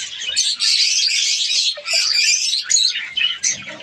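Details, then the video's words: Breeding colony of captive budgerigars in Pakistan in breeding season: continuous dense high chattering and warbling from many birds, nearly unbroken, with a few short dips. "australian parrots budgies ke birds colony"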